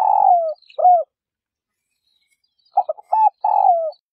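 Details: A female spotted dove calls to encourage males to start cooing. A long, low coo falls away at its end, then a silence, then quick clipped notes lead into another drawn-out downward coo.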